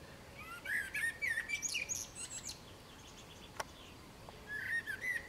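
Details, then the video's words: A common blackbird sings a mellow, fluted phrase that breaks into high squeaky twitters. After a short pause with a single click, a second phrase begins. "Чёрный дрозд - пение черного дрозда"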